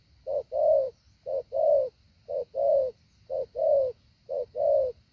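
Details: Spotted dove used as a decoy, practising its lure call for bringing wild doves down, delivered in a set pattern: clean low coos, each pair a short note followed by a fuller longer one, about a second apart, over a faint high hum.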